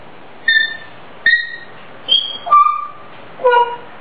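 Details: Grey parrot kept as a pet whistling a self-composed melody: five clear whistles. The first two are level, the third is higher, and the last two step lower, each about half a second long.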